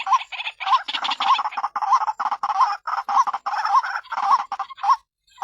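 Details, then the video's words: White-breasted waterhen, used as a lure for other waterhens, giving rapid rough croaking phrases, each ending in a short rising hoot, repeated in quick succession with brief gaps. "SUARA BURUNG RUAK RUAK"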